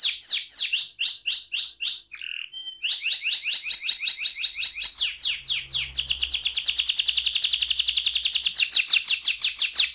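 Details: Long roll from an AF canary: quick series of bright descending chirps, a brief harsh break, then an extended rattling trill that shifts higher and denser halfway through, pulsing steadily for several seconds.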